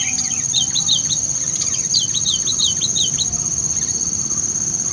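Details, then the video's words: Lively sooty-headed bulbul used for luring: two runs of quick, sharply slurred chirps a little over a second apart, against a loud continuous high whine and background hiss. "pikat kutilang ini sangat GACOR LINCAH & VOKAL"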